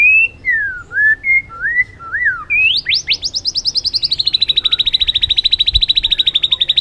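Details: White-rumped shama, trained to sing many forest-style phrases, gives sliding whistled notes dipping and rising, then upswept notes that speed into a long steady trill of rapid repeated notes.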